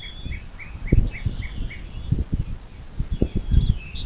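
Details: Bald eagle at a nest on the Little Miami River near South Lebanon, southwest Ohio, USA, by nest camera at 07:02 on 26 April 2024: an evenly spaced run of about nine short, high chipping notes, with thin songbird whistles and low pattering thumps.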